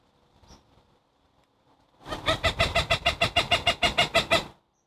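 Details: An agitated Cooper's hawk scolds and harasses a preening long-eared owl in Chicago on November 5, 2023, moving around it: a harsh, nasal kak-kak-kak, about thirteen rapid notes in two and a half seconds, after a quiet start.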